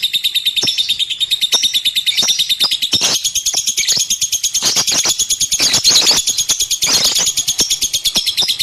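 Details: Pet lovebird pouring out a long, quick, shrill chatter of tiny rattling notes at a steady high pitch, spiked by scattered louder squeaks and clicks.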